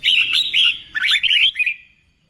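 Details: A short run of lively warbled whistles from a newly caught red-whiskered bulbul being trained for singing contests, two quick phrases that fade out at the end.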